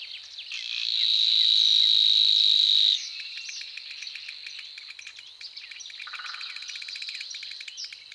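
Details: Savi's warbler giving a loud, even, buzzing reel for about two and a half seconds. It then stops, leaving quieter chirps and twittering from other birds in the background.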